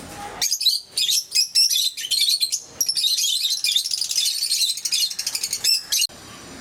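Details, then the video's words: Pet lovebirds of various colour mutations, recorded in 2022, in a dense, continuous bout of shrill, high-pitched chattering, rapid squeaky chirps running together almost without a break before stopping abruptly. "Sounds of love birds"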